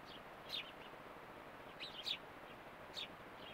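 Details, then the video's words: Young house sparrow out in a Calgary, Alberta garden, Canada, giving a few quick chirps in short clusters, with a pause before the last note and a low hiss underneath. "Fledgling House Sparrow"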